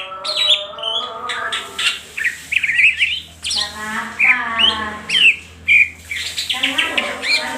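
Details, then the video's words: Greater green leafbird singing constantly in ngentrok style with crest raised and tail spread; varied bright chirps and whistled upward and downward sweeps over lower steady harmonic tones. "CUCAK HIJAU GACOR NGENTROK JAMBUL BUKA EKOR"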